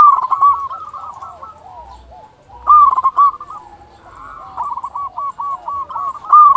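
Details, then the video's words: Local zebra doves singing, used as a lure to get other doves calling: soft, rolling coos overlap throughout, with two loud bursts of rapid, stuttering notes near the start and end. "Perkutut lokal gacor suara paling ampuh untuk pancingan burung perkutut agar cepat bunyi"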